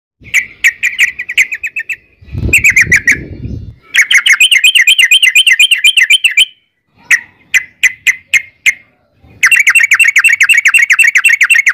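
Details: {'caption': "Sooty-headed bulbul, trucukan, in long 'ropel' song used as a lure to prompt other birds to answer. Rapid buzzy trills of rising-falling notes near mid-high pitch, alternating with spaced single chirps and brief gaps; a short low rumble partway."}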